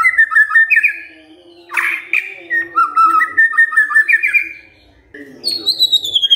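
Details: Lively song of a caged white-rumped shama: rolling whistled phrases and chattering warbles, a harsh burst, then a high descending whistled run.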